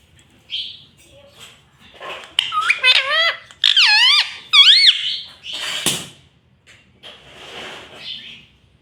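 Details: Pet rose-ringed parakeet talking, speech-like "mummy" phrases: loud, clear, looping syllables with strong harmonics in the middle, framed by softer squeaks and one sharp click.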